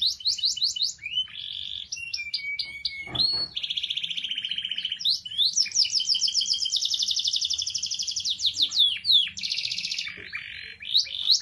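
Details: Canary described as a vigorous singer: a varied string of whistled slides, steady buzzy tones and long rapid trills of high notes, with a short thump near the middle.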